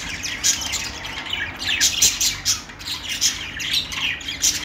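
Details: Budgies sing a continuous high chatter of buzzy chirps and sharp squeaks, with loud bursts coming every half second or so.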